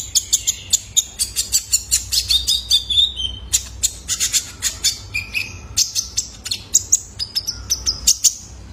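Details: Juvenile male Ruby-cheeked Sunbird, kolibri ninja, recorded as a lure for cage birds: dense, rapid high-pitched chirping, nearly continuous for about nine seconds, with brief thin whistles woven between the ticks.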